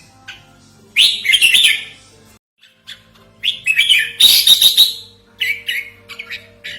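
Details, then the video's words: Lure and tutoring recording of a red-whiskered bulbul: two long, rapid, scratchy chattering bursts with scattered single chirps between them, plus a faint steady tone and a low hum in the background. "Suara Pikat Merbah Jambul Buat Master"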